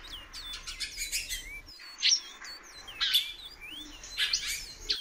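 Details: A female Great-billed Seed-Finch calls often. Brief curving whistles come in irregular clusters, about one a second, alongside loud sharp clicks and buzzy chirps.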